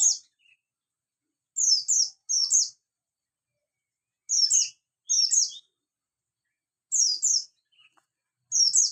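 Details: Javan white-eye, bustomi type, singing in the morning; bright high-pitched twitters in paired bursts separated by pauses of about a second, steady and clear.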